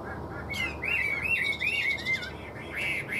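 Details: Tame caged Chinese hwamei singing, described as growing more fired up the longer it sings: clear warbled whistles rising and falling in loops, fluid and continuous, over a low background hum.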